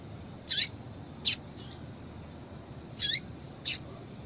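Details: High, short chirps from a female double-collared seedeater, a call to excite males into song, given in two pairs about two seconds apart, each pair a falling buzzy note followed by a sharper tick.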